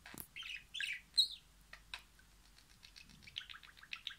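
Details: A talking pet budgerigar chatters in quick, scratchy bursts mixed with high chirps and clicks, apparently mimicking Turkish words and phrases.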